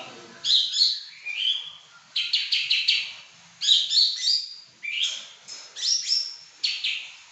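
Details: Pekin robin, described as a prized bird singing nonstop in 'gacor' style, giving bursts of bright warbled, slurred whistles in short phrases about every second, some with quick rattling note runs, with brief pauses between phrases.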